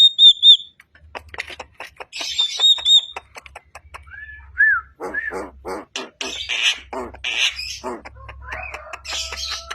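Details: A freshly wild-caught Javan myna sings right away: a varied, jumbled run of clear whistles, rising slurred notes and harsh grating squawks, with a faint low hum underneath.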